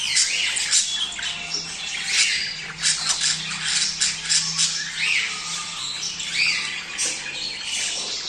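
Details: Mating chatter of budgerigars played to prompt males and females to mate: crackling, rapid chirps and short upswept whistles from many birds, steady throughout.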